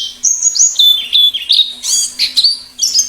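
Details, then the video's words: Plengi ngalas white-eye song for prompting birds to sing: a lively twittering phrase of high whistled notes stepping down and back up, rapid and uneven, over a quiet low hum. "Suara plengi ngalas || perangsang bunyi cocok untuk masteran pleci dan pikat burung pleci liar"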